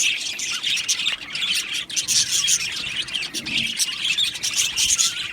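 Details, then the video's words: Many budgerigars chattering in an aviary colony, a constant wash of shrill chirps, thin whistles and scratchy squawks overlapping, loudness rising and falling slightly. "Budgie birds Chirping sounds"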